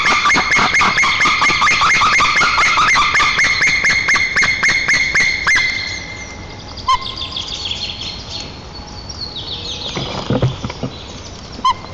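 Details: Pair of white-tailed eagles at their nest in Nizhnyaya Kama National Park, Tatarstan, 7 April 2024, captured by nest camera, greeting each other with song as the female returns. Loud, rapid yelping notes, about two per second, for six seconds, then faint chirps.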